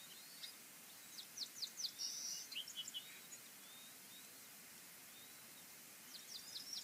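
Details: Fraser Point bald eagle nest, 22 March 2019, while the two oldest chicks get most of a feeding. Bursts of sharp, high-pitched chittering notes come in rapid uneven runs, followed by a pause and then a brief further burst, over constant background hiss.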